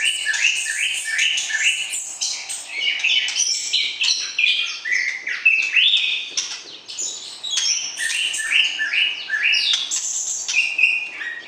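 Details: Caged white-rumped shama used in pairing to stir breeding readiness in the opposite sex, pouring out rapid rich whistled phrases, stepped notes and quick trills, continuous and energetic throughout.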